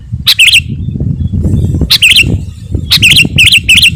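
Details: Sooty-headed bulbul, song used as a lure for wild birds and to rile rival birds: short warbled whistled phrases, one early burst and then several rapid ones near the end, with steady low rumble and faint hiss behind.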